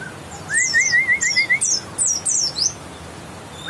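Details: White-eye from West Java with grey-white breast and a yellow line, giving a run of high thin twittering notes mixed with a lower wavering whistled phrase, bright and rapid across nearly three seconds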